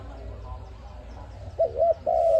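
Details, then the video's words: ARIMIX dove, used as a trap lure. Quiet murmuring background first, then near the end two short hooked notes and the start of a steady long coo. "Sound of ARIMIX dove quality sound to use for trap"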